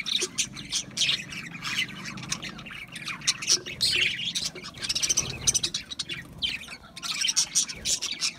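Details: Continuous budgerigar twittering, a jumble of fast, high squeaks, warbles and short squawks from several birds at once, with a faint low rumble underneath.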